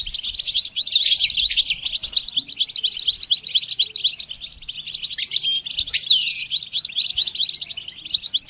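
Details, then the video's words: A goldfinch's continuous, dense twittering song used in song training, with rapid high chirps and trills tumbling without pause and a few sweeping, slurred notes. "The basics of training the goldfinch to sing"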